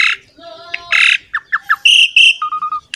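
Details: Asian pied starling used as a lure to set other birds singing: a rasping burst, soft low whistles, quick slurred notes, two loud high whistles and a string of short low whistled notes.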